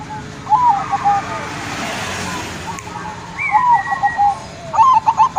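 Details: Zebra dove coos played as a lure to stir other birds into calling: short wavering, mellow whistled phrases with stuttering notes, in three bouts separated by pauses, over a faint background hiss.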